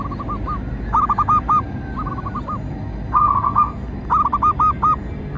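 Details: Cooing of a local zebra dove, used to prompt other doves to sing and to attract wild birds: five quick rolling phrases of bubbling, stuttered notes about one second apart over a low steady hum.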